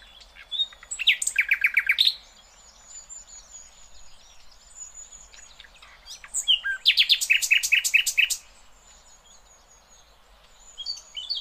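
A flycatcher gives two bursts of fast, rattling, repeated chirps, with thin, high, drawn-out whistles between them.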